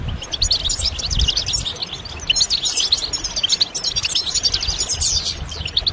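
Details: Song of the European goldfinch used for stimulation. Bright, tinkling high twitters pour out in quick bursts of short chirps and buzzy trills, steady throughout, over light low background noise.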